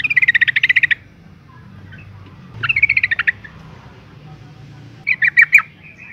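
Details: Calling female yellow-vented bulbul, meant to stir males into song, gives three bursts of fast, pulsed chatter. The first burst is long and the later ones are shorter, over a faint low rumble.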